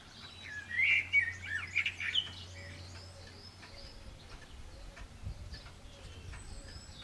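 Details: Eurasian blackbird singing while another blackbird answers in the background, with a pigeon also present: a loud burst of rich warbled, fluty notes for about a second and a half, then quieter, distant phrases over soft ambient noise.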